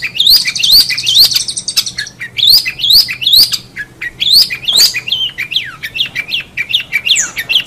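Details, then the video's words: Long-tailed shrike in strong 'gacor' song: repeated sharply rising whistled sweeps in quick clusters, broken by short pauses, then sliding downward notes. "Suara Burung Cendet | Gacor"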